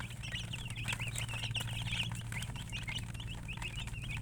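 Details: Chickens peeping continuously, with quick high wavering chirps crowding together in the first half and then spacing out slightly, over a steady low hum.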